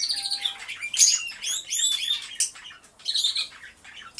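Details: Many canaries in an aviary, recorded by a hidden camera, sing together in bright, rapid trills and chirps, high-pitched and overlapping, with brief pauses between bursts.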